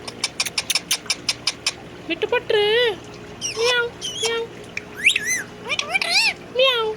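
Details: Pet Indian ringneck parakeet in a very happy mood, talking and dancing while imitating a cat's meow: a run of sharp clicks, then several nasal, wavering harmonic calls that rise and fall, separated by short gaps.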